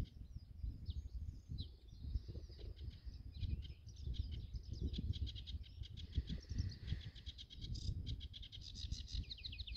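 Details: A singing male sedge warbler at Goxhill Marsh, Lincolnshire, UK, phonescoped, gives a fast, scratchy run of varied chattering notes ending in rattling, buzzy trills, over a steady low rumble of wind.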